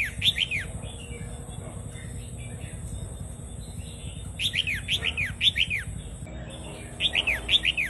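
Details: Vietnamese-type red-whiskered bulbul singing a doubled song, played to teach young birds and excite others: bright whistled phrases of three to four quick downslurred notes, bursts at the start, middle and end, over a low steady hum.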